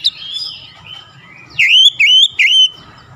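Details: Oriental magpie-robin (kacer) singing gacor, persistently unloading its repertoire (bongkar isian). A faint descending whistle is followed by three loud, clear whistled notes that sweep up then down, spaced about half a second apart.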